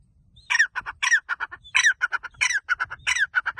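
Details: Grey francolin, or teetar, calling loudly: harsh, squawky phrases, each a strong rasping note followed by several shorter clipped notes, repeated about five times in under four seconds against a quiet background.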